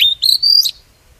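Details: Lure song of an oriental magpie-robin, for trapping wild birds and stimulating singing: three clear, sustained whistled notes, each a little higher than the last, the final one ending in a brief downward flick.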